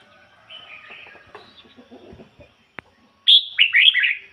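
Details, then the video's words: Red-whiskered bulbul kept as a decoy, singing ngoi bổi style: soft twittering and a click precede one loud phrase starting with a high whistle that breaks into rolling, bouncy warbles. "chim chào mào mồi hót ngoi bổi giọng chuẩn"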